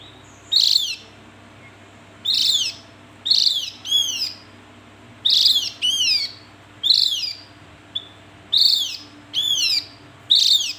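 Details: Javan grey-throated white-eye repeating a paired phrase: a rough buzzy note, then a short series of falling whistled slurs, about eight times at regular intervals, with a quiet hum in the background.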